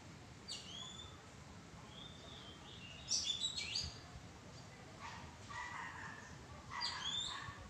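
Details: Oriental magpie-robin calling from a madan tree bower: sharp whistled notes and slurred rising and falling phrases, broken by pauses, with lower buzzy chatter later in the clip.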